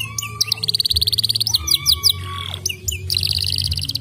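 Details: Lure song of a canary meant to make idle canaries sing: pulsing rapid trills broken by thin whistles and sliding notes, ending in a bright high rattling trill, with a continuous low hum behind.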